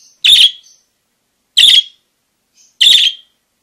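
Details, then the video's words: Parakeet calling with three strong, rasping chirps, each brief and bright, spaced roughly one and a quarter seconds apart in a quiet background. "Suara Kicau Burung PARKIT GACOR"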